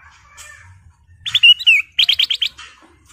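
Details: Sooty-headed bulbul song used as a lure to provoke other birds: a brief bright phrase of sharp whistled notes and a down-slurred whistle, then a quick burst of five repeated chirps, over a faint low hum.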